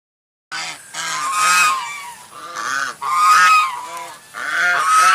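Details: White swan starting abruptly into a rapid series of loud, raucous honks, short double notes repeated about every second with brief dips between.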